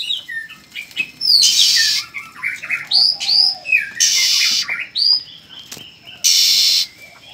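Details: Newly hatched red-whiskered bulbul chicks: three bursts of harsh, broadband begging hiss about every two and a half seconds, between them scattered short whistled chirps and sliding notes.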